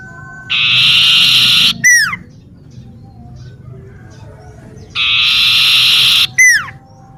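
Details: Twice over, a common iora in a home garden gives a long, rasping trill of about a second, each time finished with a sharp falling whistle, with a hushed pause of several seconds between phrases.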